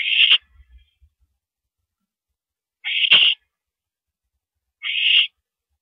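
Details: Night mouse delivery, April 13 2012 at 9:17 PM: an owl utters three short hissing screeches spaced roughly two to three seconds apart, each harsh and noisy, with a few soft low knocks after the first.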